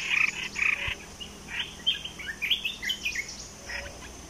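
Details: Caged Olive-winged bulbul kept as a decoy bird for trapping, giving short, scattered, bubbly chirping notes in quick bursts, some clipped and some slurred, with brief pauses between phrases and faint background hiss.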